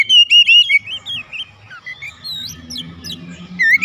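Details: Oriental magpie-robin kept at home, in daily therapy and singing busily: quick loud whistles at the start, then a varied run of softer slurred and rising notes, ending with a loud upswept whistle.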